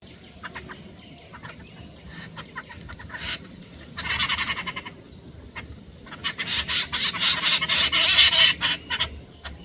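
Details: Hungry jungle babblers struggling for food give harsh, grating chatters in bursts, fast and ragged, growing louder and busier toward the end over a low background hum.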